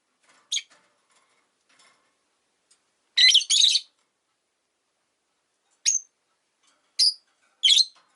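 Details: Rosy-faced lovebirds, five caged indoors beside a window in winter, giving sharp high chirps: a soft opening note, a harsh double squawk near the middle, then three piercing clipped calls spaced about a second apart.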